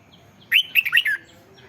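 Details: Red-whiskered bulbul, a caged bird, singing to excite other caged birds: one short phrase of four rich, warbled whistled notes, rising then falling, against a quiet background.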